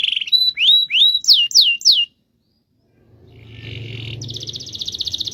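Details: Kept canary used as a tutor recording for rolling song: clear whistled notes sweeping up then sharply down, repeated in a quick series, a pause, then a dense buzzy high trill with a low hum beneath.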